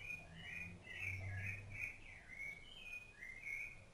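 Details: Rufous-bellied thrush, an adult feeding its chicks, sings a steady stream of rich, fluting whistled phrases, each short and slurred, rising and falling, one after another for the whole stretch, with a soft low hum behind.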